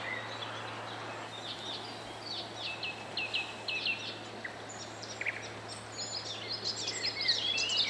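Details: Common sandpiper (Actitis hypoleucos) calling at Zbiornik Joachimów Mogiły reservoir on 27 May 2017 gives thin, high, piping notes in quick runs over a steady background hiss.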